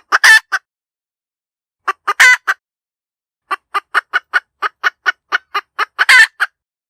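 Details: Hen cackling: a loud harsh squawk opens, then a pause, a short clucking bout with another rasping cry, and finally a long steady train of about a dozen sharp clucks ending in a drawn-out squawk. The background is silent.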